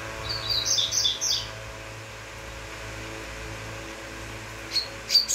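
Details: Double-collared seedeater singing: a one-second burst of sharp, high chipping notes, then quiet, then a few brief bright notes at the end, over a steady low hum.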